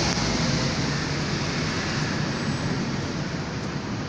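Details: Loud, continuous engine-like rumble and broadband roar, like passing traffic or an aircraft, with no animal calls.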